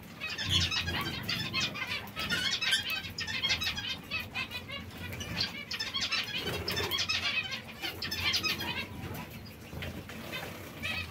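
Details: Zebra finches, also called bengalini, kept as exotic pets, pecking at seeds and fresh lettuce; a dense, continuous chatter of short, high, overlapping chirps throughout, with soft low rustling underneath.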